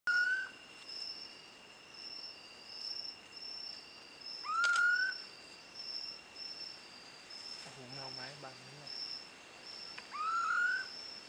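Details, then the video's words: Female Hodgson's frogmouth calling, recorded 3 March 2015: three short rising whistles about five seconds apart over a steady high insect drone, with a brief low harmonic sound midway. "Female Hodgson's Frogmouth calling."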